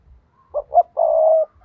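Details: Spotted dove decoy calling to lure rivals: a single coo phrase of two short notes and a long sustained coo, with faint low rumbling in the background.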